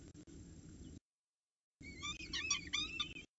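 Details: At Orange CSU, peregrine falcons at 7:07 am on 26 October 2019 while the female feeds her chicks and the male arrives with breakfast; after a silent gap, a quick burst of shrill, rapidly repeated harmonic calls over steady low rumble.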